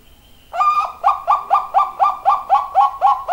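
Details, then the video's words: Zebra dove giving a loud call: after half a second of quiet comes a rapid run of short, clipped cooing notes at mid pitch, about four each second, steady and evenly spaced to the end. "perkutut suara nyaring"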